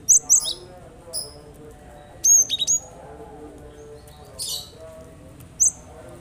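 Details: Song of a cinereous tit, used to make other birds respond: thin, piercing high whistles in small clusters, a pair, then a quick series, then a lone note, mixed with short breathy hisses and faint background hum.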